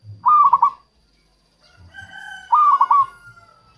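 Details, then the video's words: Zebra dove of the local type, used to lure wild doves, gives two quick trilled coo bursts about two seconds apart, while a long, even, rooster-like crow runs through the second half. "suara perkutut lokal untuk pikat dan pancingan"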